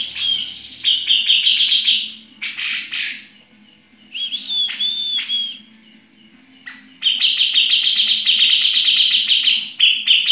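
Grey-cheeked Bulbul pouring out fast, high, scratchy chattering notes, about four a second in long bursts, broken by a few slurred whistles; a faint low hum underneath.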